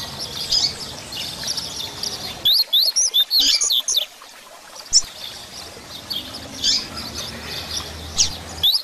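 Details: Double-collared seedeater delivering a 'grego' song meant to rouse and teach other birds: a sudden flurry of sharp, high, rapidly repeated slurred whistles, then a busy background of high chirping birds.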